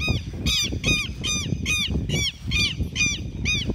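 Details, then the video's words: Southern lapwings mobbing an intruder as a flock: strident, evenly repeated cries, about two a second, each a short arched harmonic note over low rumbling handling noise. "Ataque de quero-quero"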